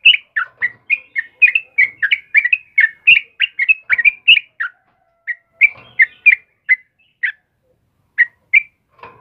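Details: Yellow-vented bulbul (trucukan) singing vigorously in the morning: a rapid string of short, loud whistled notes slurring up and down, about three a second for five seconds, then sparser single notes after a pause; background otherwise quiet.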